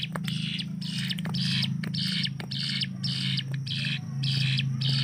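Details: Hill prinia used for training other cage birds, singing a rapid burst likened to gunfire: a run of rasping, buzzy notes about two per second, evenly paced, with a loud steady low hum underneath.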